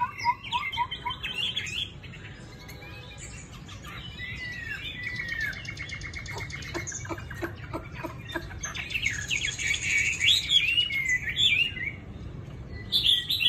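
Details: A caged Chinese hwamei with pale yellow feathered legs, kept in Hanoi, sings loud, rich, varied whistled phrases, rising and falling quickly, with a brief run of sharp clicks midway.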